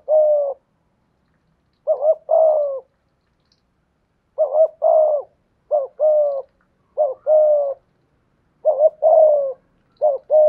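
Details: Sustained bout of cooing from a spotted dove kept as a decoy, voice in the 'thổ' style: about eight phrases of a short doubled hoot and a longer falling coo, coming faster toward the end, in quiet surroundings.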